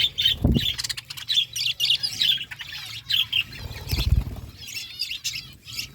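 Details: A flock of budgerigars eating food, giving dense, high chirping and warbled chatter in overlapping bursts, with a few low thumps and rustles beneath the calls.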